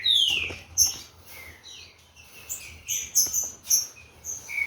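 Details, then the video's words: Green-winged saltator, a captive-bred bird of Corvo x Fogueira lineage, warming up. It opens with a bright falling whistle, followed by scattered short notes and high chirps over a faint background hum. "TRINCA FERRO 157(CORVO X FOGUEIRA) AQUECENDO AS TURBINAS."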